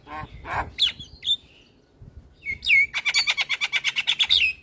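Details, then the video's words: Male Black-winged starling singing to train young birds: a few harsh notes and whistles, a pause, then a rising whistle leading into a rapid, evenly repeated series of about fifteen chirps. "Suara Jalak Kebo Jantan Full Isian Untuk Pancingan Burung Jalak Muda"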